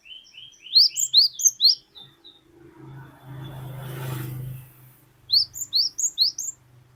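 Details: Cinereous tit (glatik batu) in the long 'ngeplong wucit wucit' song: two bursts of sharp, rising, high whistled notes about two per second, separated by a low rumbling noise lasting around two seconds.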